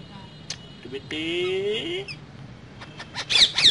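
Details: Caged pet parrot imitating human speech: a short tone, then a smooth, voice-like phrase of nearly a second, followed by scattered sharp squawks and clicks near the end; indoor background hum.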